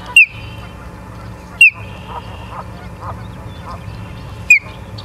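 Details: Osprey nest in Charlo, Montana, on a live cam, 09/07/2023 at 09:42: three isolated, high, downward-slurred whistles at uneven intervals over quiet background noise.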